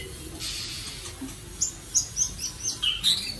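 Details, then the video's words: Gentle song of a white-rumped shama: after a soft rustle, a quick series of about eight high, clear chirped notes, each slurred, delivered at uneven spacing. "chòe lửa tiếng hót êm ái"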